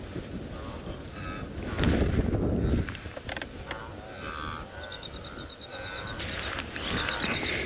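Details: Yellow-throated longclaw in the Maasai Mara during winter, calling near a stalking young lioness: clear, high whistles and a fast run of thin ticking notes, over a man's low voice and a steady engine-like rumble.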